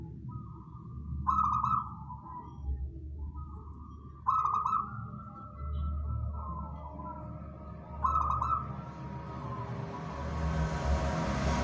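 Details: Wild local zebra dove (perkutut) song, used as a lure for catching birds: mid-pitched cooing phrases repeat about every three to four seconds, each opening with a short trill, over low rumbling background noise that rises toward the end.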